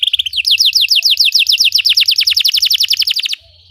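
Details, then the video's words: Belgian canary singing to teach other canaries: a short twitter, then a long accelerating run of clear descending whistled notes that ends abruptly in quiet. "Belgian canary singing makes your canary sing"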